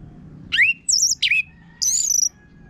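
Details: Orange-headed thrush in full harsh-voiced song, used as a lure to prompt other birds to sing; four short phrases of rising slurred whistles and a high, warbling trill separated by brief gaps.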